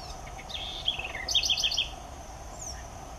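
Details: Cheerful, melodious song of a Southern house wren (curruíra): a quick jumble of sliding notes leading into a rapid high trill, ending with a brief falling whistle, against a low constant insect drone.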